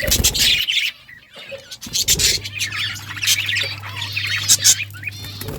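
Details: Pet budgerigars chirping in a busy chorus of buzzy chatter and quick whistled notes, with loud clicking or scratching noises at the start and a steady low hum through the second half.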